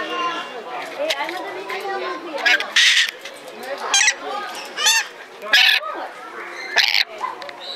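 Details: Red lory in Belgrade Zoo, Serbia, filmed in 2022: harsh, buzzy screeches burst out about every second amid a steady murmur of visitors' voices and chatter.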